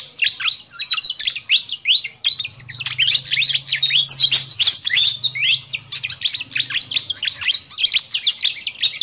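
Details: Lure sound of a noisy fantail flycatcher for calling in wild birds: nine seconds of dense, overlapping high chirps and quick rising and falling whistles, constant and irregular, with a soft low hum.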